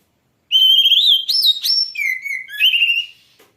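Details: Loud, full oriental magpie-robin (kacer) song: a continuous run of clear whistled notes stepping upward, then dropping to a lower sustained whistle and rising again, lasting about two and a half seconds.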